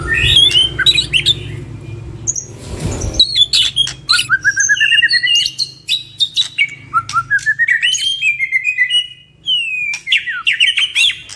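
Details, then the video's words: White-rumped shama duo in full, energetic song for bird training: sharp high chips, then fast descending trills of whistled notes, with short rising runs repeated across the phrase and a faint low hum behind. "Duo GACOR !! Burung MURAI BATU Full isian MASTERAN PANCINGAN"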